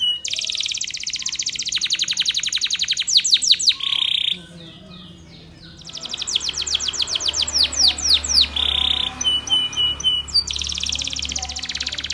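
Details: Spanish Timbrado canary training song, meant to encourage other canaries to sing: rapid metallic rolls and trills, sharp down-swept notes and bursts of high chirps, broken by a quiet pause of about a second and a half before the song resumes.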